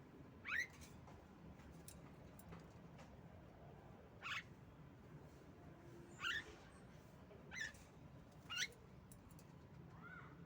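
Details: Calls of a female Javan myna meant to coax reluctant mynas into song: five sharp, squeaky, upward-sweeping notes separated by gaps of one to two seconds, with a low constant hum behind.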